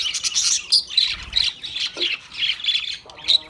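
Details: Australian parrot squawking and chirping nonstop in harsh, buzzy, high bursts, with one lower rasping note near the end.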